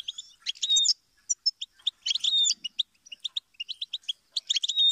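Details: Goldfinch pouring out fast, high twittering song: clipped chirps, short whistles and buzzy bursts in lively, uneven sequences, loud and close.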